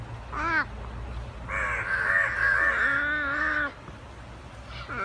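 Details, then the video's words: A short caw, then a long, continuous, nasal and harsh drawn-out call lasting about two seconds as two crows fight. "Crow Fight"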